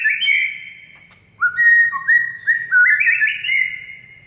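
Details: Master recording of a white-rumped shama aimed at mute birds: a loud whistle, a brief lull, then sliding and rising whistled phrases climbing in pitch with faint high chips.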